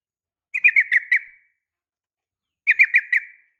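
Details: Two crisp four-note phrases from a female sooty-headed bulbul calling a male, each note a quick bubbly slur, spaced about two seconds apart in otherwise silent surroundings.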